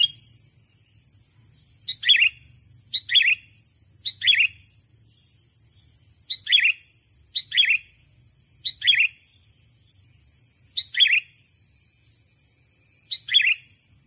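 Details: A sooty-headed bulbul calls to draw in a rival, giving short double-noted chirps with a downward slur, repeated irregularly every one to two seconds across a quiet fourteen seconds.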